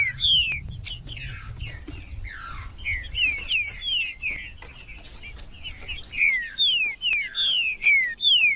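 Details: Trinca-ferro (green-winged saltator) in 'frio' song meant to warm up other birds, delivering a steady stream of loud downward-slurred whistles, repeated about twice a second, over a busy background of high twittering.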